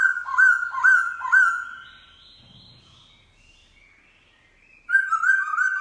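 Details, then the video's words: Black-throated laughingthrush singing in the morning, wild-style song: three loud looping whistles in quick succession, a quieter rambling warble, then a strong slurred whistled phrase. "Khướu mun bổi hót giọng rừng cực phê . vào buổi sáng"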